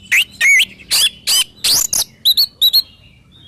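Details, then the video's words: Oriental magpie-robin song: a string of loud, harsh, broadband notes and a clear whistled slur, followed by paired short whistled notes with an upward flick. "SUARA BURUNG KACER GACOR COR"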